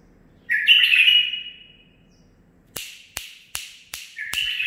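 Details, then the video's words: Young male bulbul, nine months old, sings one rich warbled phrase, then after a pause comes a run of five sharp clicking taps, the last merging into a brief whistled note. "من بلابلي الخاصه (الكابتن ) مخلف تخريجي العمر 9 أشهر اخذ لسانات زلزال"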